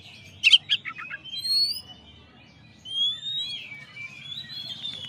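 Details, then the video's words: Master recording of a champion Oriental magpie-robin: a quick flurry of sharp high chirps and short notes, then long, thin, sliding whistles that rise and fall over a faint low hum. "masteran suara kacer juara"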